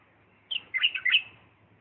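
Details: Bulbul of Diyala performing 'lisanat'-style song: a high opening note followed by three liquid, bubbling notes, over a soft low background hum.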